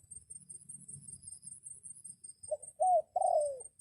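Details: Decoy red junglefowl crowing to lure wild birds while rain falls; after a low murmuring background, a clipped crow arrives late: a short note, a hooked note and a long descending drawn-out syllable.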